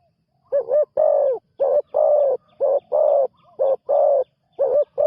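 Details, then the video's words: Spotted dove, a decoy bird used for ground luring, a newly trained bird on its first outing, giving loud deep coos in quick succession, short notes alternating with longer drawn-out ones, about eight notes in five seconds. "นกเขาใหญ่ต่อดิน ฝึกนกใหม่ออกฝึกครั้งแรกพอได้ยินเสียง"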